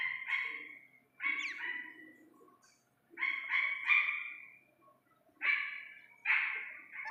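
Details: Iranian partridge chick calling in bursts of two or three strong, ringing syllables, each group trailing into a longer tone, with pauses of about a second between groups.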